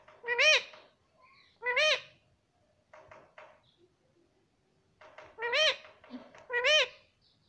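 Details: Green ringneck parrot kept as a pet repeating "Mami" in four loud, nasal, rising-and-falling calls spaced about a second apart, with soft chatter between them in a quiet room.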